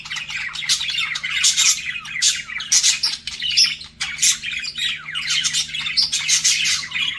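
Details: Budgerigars flirting: continuous busy warbling of squeaky chirps, clicks and short whistles, several birds overlapping, with a brief lull near the middle.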